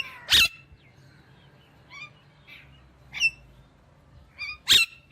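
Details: Indian ringneck parakeet with three loud harsh squawks spaced over five seconds, short chirping notes between them.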